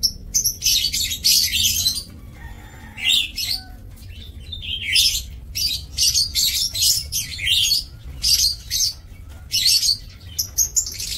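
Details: Lovebirds kept in a breeding aviary, recorded 2 October 2024; shrill, harsh chirps in dense overlapping bursts, several birds calling at once with short quiet gaps, over a low steady hum.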